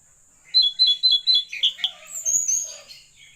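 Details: Blue-eared kingfisher, known locally as tledekan laut, singing actively: a fast series of five bright, high whistled notes, each with a slight downward slur, then softer twittering phrases, with a faint click in the middle.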